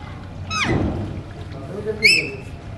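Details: Kept Alexandrine parakeets, called talking parrots: a quick, steeply falling whistled note, then after a pause a sharper, bright, ringing call, with a faint low murmur between them.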